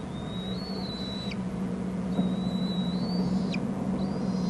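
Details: Young bald eagles in a Hornby Island nest, an adult having brought food: high thin level whistles, each ending in an abrupt downward drop, about two per second with gaps, over a steady low droning hum.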